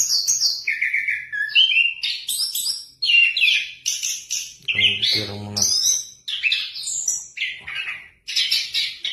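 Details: Orange-headed thrush, a caged songbird, sings a rich varied medley of whistled phrases jumping between pitches, with a brief hum of a person's voice in the middle.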